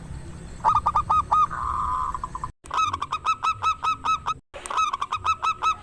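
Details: Loud-voiced local zebra dove, used to goad quiet rival birds into singing: bursts of hooked coos, a brief buzzy trill, then evenly spaced cooing notes over three phrases separated by short silences.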